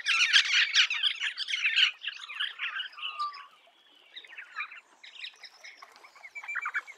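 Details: An Eastern rosella gives a burst of loud, harsh, rapid chattering for about two seconds, then scattered scratchy notes that fade and return more softly.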